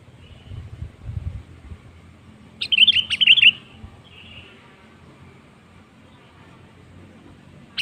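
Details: Lure song of a sooty-headed bulbul, meant to prompt other birds into song: a single quick, liquid phrase of chortled whistles in mid-clip, with faint low background noise before and near-silence after.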